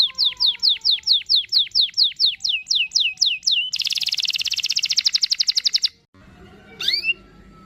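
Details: Canary singing a long roll as a teaching lure for a young canary: evenly spaced downward-swooping whistles, then a dense buzzing rattle, a short silence, and one final rising chirp over faint background noise.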